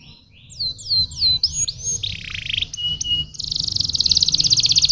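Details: A canary's stimulating song: hooked whistled slurs, a dropping buzzy rasp and two clipped tones lead into a long, accelerating, shimmering high trill that keeps rising in volume.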